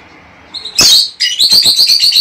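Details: Lovebird calling to stimulate mating: a brief high note, then a loud harsh squawk that runs straight into rapid, buzzy, shrill chattering pulses.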